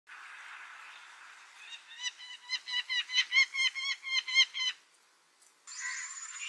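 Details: Clamorous reed warbler singing: a run of about a dozen loud, harsh, evenly spaced chattering notes that swell and fade over three seconds, after a softer buzzy lead-in, then a brief separate higher phrase at the end.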